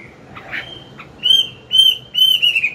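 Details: Chinese hwamei, an older bird singing in the morning to stimulate a young bird; after soft quiet notes come three long, loud, level whistles separated by short pauses.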